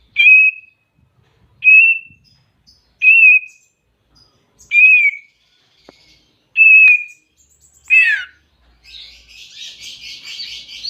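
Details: Greater green leafbird calling a rival, giving clear short whistled notes roughly every one and a half seconds, six in a row, the last sweeping steeply down, followed by a rough hissy rattle.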